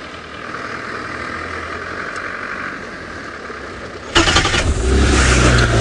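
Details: A vehicle engine hums steadily, then starts up and revs loudly, with no animal calls heard.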